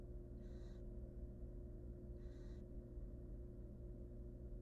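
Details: Two short breathy screeching hisses from hungry wild barn owl nestlings in a nest box, about two seconds apart, against a persistent low-pitched hum.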